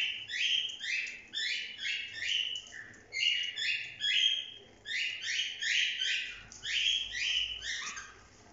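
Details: Cockatiels kept as pets chirp during a bath, giving clusters of quick, sharp, down-slurred tweets repeated in bursts about every second, the group calling busily over a quiet background.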